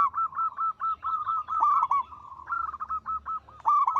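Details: Local zebra dove in full song, praised for a loud, long, sweet voice: near-continuous strings of quick, clipped coos at a steady pitch, grouped into short runs, some notes slightly rising, with brief pauses between runs.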